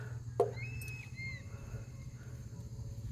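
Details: Large Philippine eagle circling over Mount Banahaw: thin, clear whistled notes that slide slightly downward, a few in quick succession. A sharp knock comes early, over a steady low hum.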